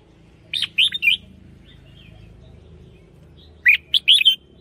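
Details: Red-whiskered bulbul singing lure song for bird hunting, two short phrases of three or four warbled, slurred whistles separated by a few seconds of low background hum.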